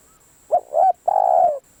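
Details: One full phrase from a spotted dove decoy bird: a short coo, a slightly longer second coo, then a drawn-out steady coo, heard close and clear against near silence.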